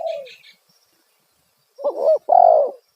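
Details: Loud spotted dove coo used to lure wild birds, a fading falling coo then a bent double note and a long strong coo, with brief high chirps of a small bird at the start.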